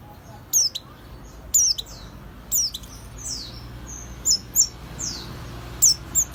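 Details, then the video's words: Sparse, very high sweeping chirps from an oriental white-eye used as a lure, each a quick downward slur, spaced about a second apart with some softer notes between. "kicauan burung peleci pancingan langsung nyawut"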